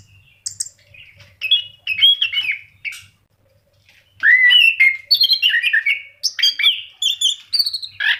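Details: Orange-headed thrush in full song, a caged bird kept as a lure to prompt other pet birds to sing: rich varied whistled phrases and slurred notes, bursts separated by short pauses, with a faint low hum beneath.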